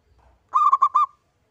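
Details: Local zebra dove (perkutut lokal), a single bird singing, recorded as a lure to prompt singing: one short phrase of three rolling, bubbling coo notes at even pitch, lasting about half a second, in a quiet setting.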